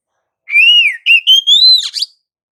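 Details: Kacer, or Oriental magpie-robin, in gacor ngerol rolling song meant as a lure to get other magpie-robins singing: one long, pure whistled phrase that swells upward, broken by brief gaps, ending in a fast downward slur.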